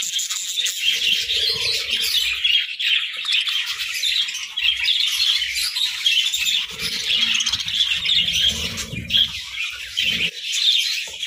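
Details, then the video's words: Morning parakeet flock keeps up a busy, overlapping stream of squeaky chirps and warbling twitters, joined now and then by low muffled knocks and shuffling. "Morning Chirping Parakeets"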